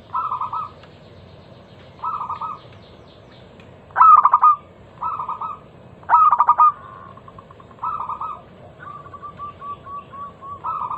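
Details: Local zebra dove lure song for prompting other doves to sing: short, bright cooing phrases repeated roughly every two seconds, some much louder and more staccato, ending in a string of quick, even coo notes.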